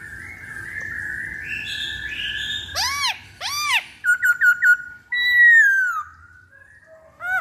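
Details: Lure song of a black-throated laughingthrush: a long, steady rising whistle, two loud arched notes, a quick chain of short notes, then a slurred descending whistle.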